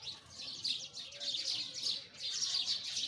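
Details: Sparrow chorus of overlapping high, scratchy chirps, swelling in waves roughly every second.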